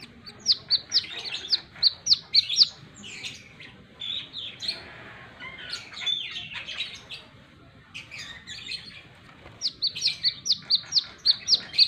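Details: Plain-throated sunbird in lively song: rapid high chirps and flicked notes at the start, a softer jumbled twittering passage in the middle, then another fast run of sharp, evenly spaced chirps.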